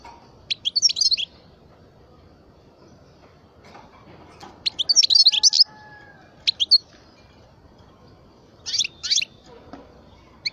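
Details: Twelve-year-old European goldfinch, parva form, giving bursts of rapid, high, jingling twitters separated by pauses, each burst a tight cluster of bright notes, with a soft hum behind.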